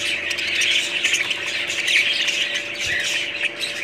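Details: Budgerigars squawk and chatter continuously, raspy grating calls and squeaky chirps piling over one another, a steady electrical hum in the background.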